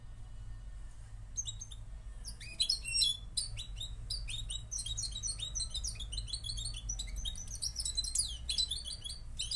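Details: Moroccan European goldfinch singing: after a quiet first second, a rapid, dense, unbroken twittering of high tinkling and buzzy notes, quick slurred chirps and trills running on to the end over a low background hum.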